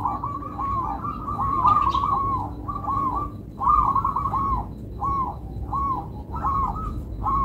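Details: Local zebra doves cooing in melodious rhythm: overlapping rolling, bubbly coo phrases follow one another almost continuously, some lower and softer, about every second or two, over a low background rumble.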